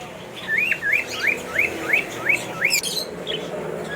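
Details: A flock of captive budgerigars singing together after eating, once settled in their places, give quick, repeated, bright, twittery rising chirps, about three per second.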